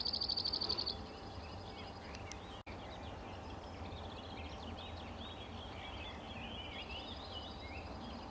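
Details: Cirl bunting giving a fast dry rattle of about a dozen identical high notes in one second at the start, then many other birds chirping and whistling over steady low rumble.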